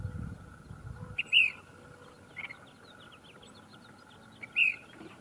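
Ash-throated flycatcher giving two short, burry rolling notes about three seconds apart, with faint high chips between, a steady background hum and a brief low rumble at the start.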